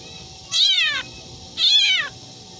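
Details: Black drongo imitating a domestic cat: two nasal, meow-like calls about half a second long, each sliding downward with rich stacked harmonics, spaced roughly one second apart over a low background hum.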